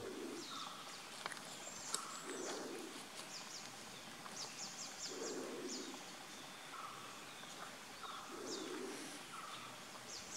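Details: A female Malabar trogon (Harpactes fasciatus) at Ganeshgudi, Karnataka, India, in January 2016 gives soft, low, mellow hoots about every three seconds, with a higher whistled note between them and thin chirps from other small birds.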